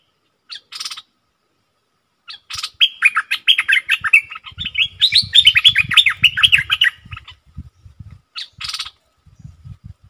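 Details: Stripe-throated bulbul in a cage, recorded 7 June 2021 as a training recording: a long, fast stream of bubbly, tumbling notes of about four seconds between harsher chirps, with low thumping in the background.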